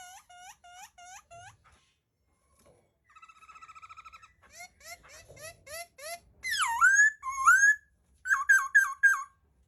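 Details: Laughingthrush song of repeated upswept whistles, a soft buzzy trill, a run of short chirps, then loud swooping whistled phrases and a final burst of quick rising notes.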